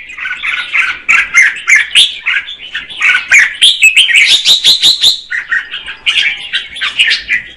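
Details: Female red-whiskered bulbul sings to stimulate the male, producing a lively chatter of warbled notes with a stretch of sharp rapid clicks in the middle.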